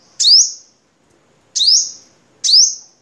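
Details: Crimson sunbird from Vietnam, for tutoring caged birds: three piercing high chips, each a steep downward flick and short rising whistle, the gaps shortening from over a second to under one.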